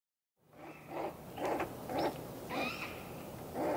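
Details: Great grey owl (Strix nebulosa) fledgling begging for food: harsh, raspy hissing screeches, five in under four seconds, each a short breathy burst.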